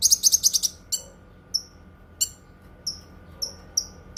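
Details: Cucak kinoi song, described as strong enough for training other songbirds and for therapy: a fast burst of sharp high chirps, then single thin downslurred whistles spaced about half a second apart.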